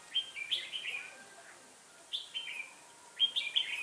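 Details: Red-whiskered bulbul during trapping with a decoy bird, singing three bright, warbling phrases separated by short pauses, with faint background chatter.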